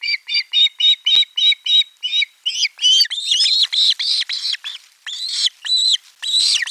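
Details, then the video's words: Nestling ospreys in Finland, 18 July 2022, cry out in chorus as fish is brought: a string of short, evenly spaced high squeaks speeding into longer overlapping harsh screams. "Kala otetaan vastaan äänekkäästi kuorossa kiljuen"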